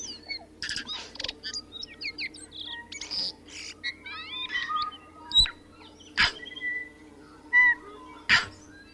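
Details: Song of a tui: a jumble of twangy rising and falling whistles, metallic clicks and buzzy notes, with loud sharp cracks spaced through the second half, against a constant low background hum.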